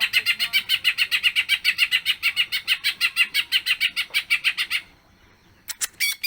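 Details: Greater green leafbird in full song with a long mimicked repertoire, delivering a rapid, steady chatter of harsh buzzy notes for nearly five seconds. A short pause follows, then a few sharp clicks.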